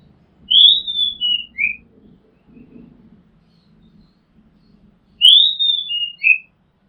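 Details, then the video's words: Oriental magpie-robin song from a house rooftop: two identical whistled phrases about five seconds apart, each stepping down from a bright high note to a lower slurred one, with a faint low murmur between them. "Oriental Magpie Robin Sound Long play | เสียงร้องนกกางเขนบ้าน"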